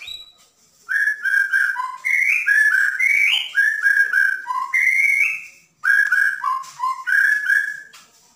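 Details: Bornean white-rumped shama in full 'dar der dor' song, used to coax another bird into singing: rapid run of clear whistled notes, stepping up and down, with bright rising slurs and a brief gap midway.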